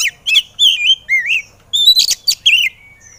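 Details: White-rumped shama in excited song for prompting silent birds to sing: clear wavering whistles and rising slurs, a couple of harsher chips, phrases separated by short pauses.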